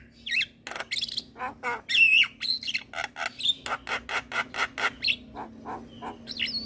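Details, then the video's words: Javan myna in full-repertoire gacor singing intended to set other mynas singing: steady rapid rasping notes roughly three per second, with occasional short twisting whistles over a faint constant hum. "Jalak Kebo Gacor Full Isian Bikin Heboh Semua Jalak Yang Dengar"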